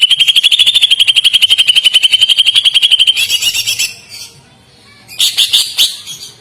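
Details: Melodious, soft, long song of a greater green leafbird used as a tutor recording. It opens with a rapid, even trill of about four notes a second for three seconds, then fades into scratchy twittering before a final burst of bright chirps.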